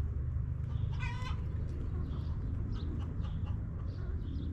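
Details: Backyard coop hens clucking: a single loud, stacked harmonic squawk lasting a quarter second, then quieter soft chirps and clucks, with a continuous low rumble underneath.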